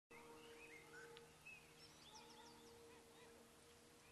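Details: American wigeon at MPG Ranch: soft whistled calls, several rising-then-falling notes overlapping, scattered through the clip over a steady low hum and background noise.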